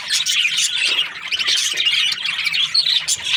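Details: Chirping budgerigars, the Australian parrots, pour out rapid scratchy warbles mixed with thin whistled squeaks, the overlapping voices of several birds keeping up constant lively chatter.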